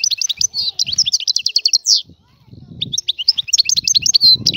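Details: Wild Algerian European goldfinch song: quick tinkling, jingling phrases with a buzzy flourish, a short break, then more bright twittering ending on a drawn-out whistle, with intermittent low background rumbling.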